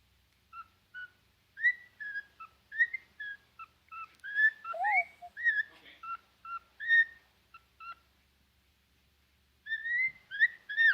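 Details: Cockatiel; whistled calls; trying to wake up a companion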